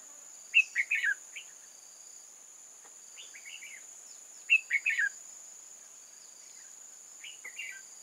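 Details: Caged red-whiskered bulbul working as a lure for wild bulbuls at a trap. It delivers quick warbled phrases of three or four bright notes, repeated roughly every four seconds, against a steady high electronic-like whine.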